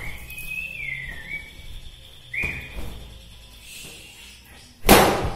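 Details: White-rumped shama from Bahorok, a local native bird, singing a song said to stir up other shamas: long, clear whistled notes sliding gently down, short pauses between phrases, ending in a sharp broadband knock.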